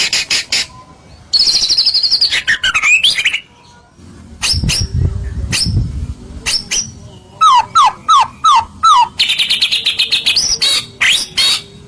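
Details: Singing white-rumped shama, a provocation recording to make other shamas answer: a loud, varied phrase of high buzzy trills and falling whistles, a quieter gap, then five clear looping whistles and a fast high rattle.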